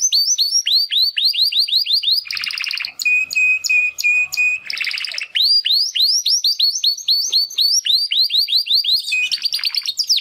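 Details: Young Timbrado canary males, brothers from the 2020 second breeding, singing for the first time after their first molt; long runs of repeated upward-swept notes, interrupted by a pulsed buzzy passage and steady pulsed whistle.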